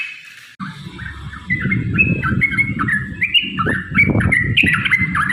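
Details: Yellow-vented bulbul fighting song used as a lure to provoke rivals: chains of short liquid whistled notes in rising and falling steps, delivered rapidly, with loud low rumbling background noise throughout.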